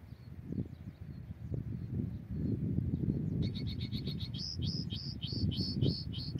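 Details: Migratory European goldfinch during trapping, singing a quick series of about nine repeated downslurred whistled notes that grow louder, over heavy low wind noise.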